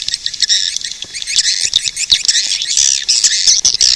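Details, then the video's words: Shrill, chattering swiftlet twitter, irregular squeaks and chirps tumbling over one another throughout. "suara burung walet"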